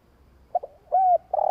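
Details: Spotted dove cooing in a long coo meant to stimulate other doves: two short soft notes, then a smooth, level hooted note, and the start of a longer buzzy note at the end.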